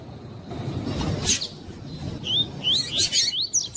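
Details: Double-collared seedeater in the "tui tui" song style, recorded for training and warming up captive birds. A short run of high, upward-slurred whistled notes arrives late in the clip, over steady low rumbling noise and a few sharp broadband clicks.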